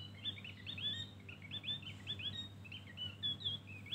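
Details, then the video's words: Javan grey-throated white-eye in full song, a lively, fast chatter of high sweet chirps and quick upslurred whistles, notes tumbling over each other with brief pauses, over a faint low hum. "Opior Jawa ngeriwik Full isian"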